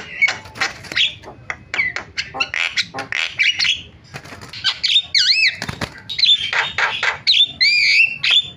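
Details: Starling calls meant to lure others into calling: scratchy chattering squawks mixed with wavering whistled notes and a sharp clap-like burst.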